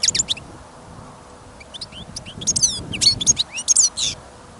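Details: Captive European goldfinch kept as a listening bird, singing in snowy, windy conditions: a short pause, then a lively run of high twittering notes and sliding whistles rising in loudness, with wind rumble beneath.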